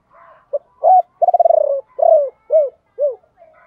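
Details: Spotted dove acting as a decoy, its ba hậu song meant to lure wild birds: a short note, a firm coo, a quick stuttering roll, then three arched coos fading down.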